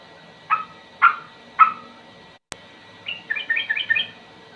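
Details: Sooty-headed bulbul in a slow song with rapid ropel bursts: three spaced bubbly notes, a brief gap, then a quick run of higher chirping whistles.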